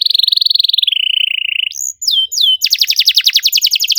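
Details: Canary lure song for a silent bird: a long rapid buzzy trill gradually dropping in pitch, two rising-then-falling whistled slurs, then a fast series of sharp descending chirps.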